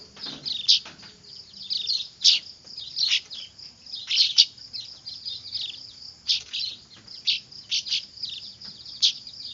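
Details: Weaver chicks calling insistently, used for luring: dense, loud high chirps and squeaks in uneven runs throughout, over a steady thin hiss.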